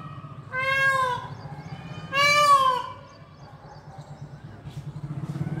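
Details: Indian peafowl calling to each other. Two loud, nasal, wailing calls a second apart, the second longer and stronger, over a steady low engine rumble.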